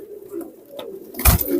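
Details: Pakistani teddy pigeon youngster giving a low, soft, murmuring coo that wavers steadily, interrupted near the end by a sharp thump or handling noise.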